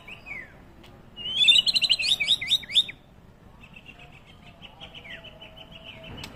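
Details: White-rumped shama used as a lure to trigger answering song. A short whistle gives way to a loud rapid run of looping, warbled notes, then a softer series of quick repeated chips.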